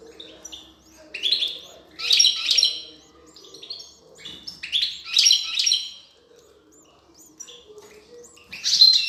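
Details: European goldfinch female feeding her chicks; bursts of high, buzzy chattering calls around two seconds and five seconds, with a sharp high note at the end and a faint low hum beneath.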